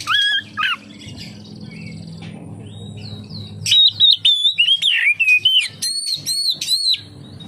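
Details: Oriental magpie-robin singing to draw other magpie-robins into song: a few whistles, a lull with low hum, then a fast run of high sliding whistled notes and chirps.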